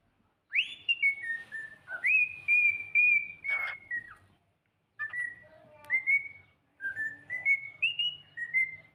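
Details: Singing cockatiel indoors: bright whistled notes with upward swoops and held tones, two phrases separated by a short silence.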